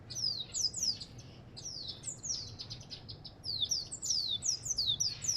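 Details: Bright, high African goldfinch song made of quick falling whistled slurs, delivered in two lively runs with a short pause between, over faint low background noise.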